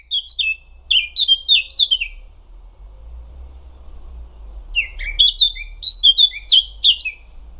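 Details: Eurasian Blackcap song: two bursts of quick, clear whistled notes, a descending run of about eight notes, a pause with a low hum, then another rapid phrase of sliding fluted notes.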